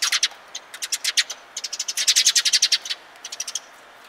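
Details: Several sparrows come for food on 27 March 2022, giving bright, high chirps in quick uneven runs that speed into a dense chatter midway, then trail off.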